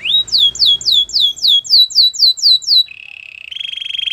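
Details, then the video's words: Canary song: a loud run of repeated down-slurred whistled notes, about four per second, then a steady buzzy trill shifting slightly higher near the end. "Canary bird sounds at it best"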